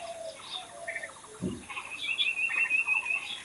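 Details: Wild birds singing outdoors in nature: a thin whistled trill of rapid repeated notes rises above quieter chirps and a series of lower, evenly spaced short notes, with several birds overlapping and a brief low thump midway.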